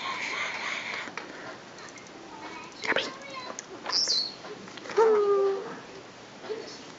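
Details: A pet Senegal parrot, newly able to speak its own name, gives short voice-like syllables, a high thin whistled note, then a clear harmonic phrase that falls and levels off, over faint indoor background.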